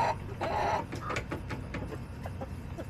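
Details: Hens in a backyard on July 18, 2024: a loud cackling squawk opens, followed by a run of short, clipped clucks that fade gradually, with low background rumble throughout.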